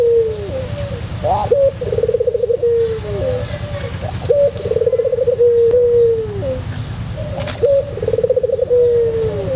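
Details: White puter pelung dove repeating its song about every three seconds. Each phrase opens with a brief rising note, rolls through a rapid trill and settles into a sustained, sliding coo. Faint chirps and a low hum are in the background.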